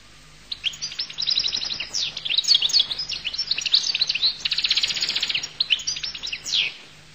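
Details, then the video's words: Goldfinch singing, song labelled al-Qull: a rapid, continuous run of high tinkling twitters, chirps and fast trills, with brief slurred sweeping notes, sustained over several seconds against a faint steady low hum. "تغريد حسون القل"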